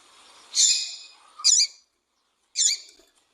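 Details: Calling female double-collared seedeater, used to make a male sing: three separate harsh, high chirps about a second apart, the first longer and buzzier, the last two shorter and clipped.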